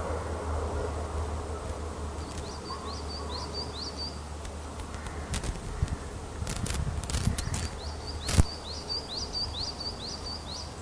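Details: Female osprey at a nest webcam at Loch of the Lowes, Scotland, calling in response to the male's skydance display. She gives a rapid series of short, high, down-slurred chirps in two bursts. Low hum, clicks and knocks are heard throughout.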